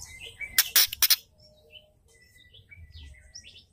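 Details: Female white-rumped shama giving its ketrekan, a call used to stir up males and make them sing: a short burst of harsh, dry rattling notes under a second long, then faint thin whistles in the background.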